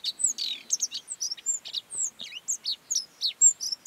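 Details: Godlewski's bunting in the Mongolian Gobi sings a fast, high, thin jumble of short tinkling and slurred notes, about four per second, with nothing else clearly heard.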